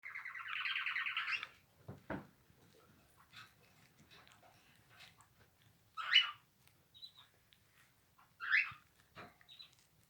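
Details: Cockatiels having a bath give a harsh, buzzy call, then short scratchy chirps spaced a few seconds apart.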